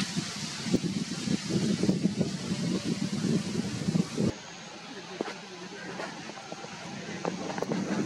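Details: Vehicle engine rumble and wind with faint speech, then a quieter stretch of low background noise and occasional clicks.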